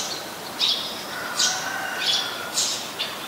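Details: Five harsh, buzzy chirps within three seconds from a Eurasian tree sparrow, a very common resident bird, recorded on 10 May 2020 at Ubon Ratchathani, Thailand.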